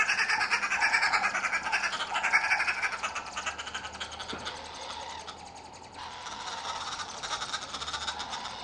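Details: Red-billed wood hoopoes at the nest while feeding chicks, giving loud, harsh, rasping chatter in fast bursts that dips briefly and then resumes at a steady rapid pace.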